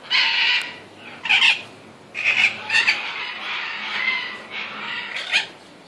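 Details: Captive red-shouldered macaw giving harsh, raspy squawks in irregular bursts, some long and grating, others short, with quieter noisy stretches between them.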